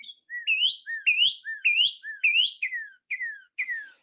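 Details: A Northern Cardinal sings its classic song, often rendered "pretty pretty pretty": clear, loud whistled phrases, four rising upslurred notes about half a second apart, then three short falling slurs.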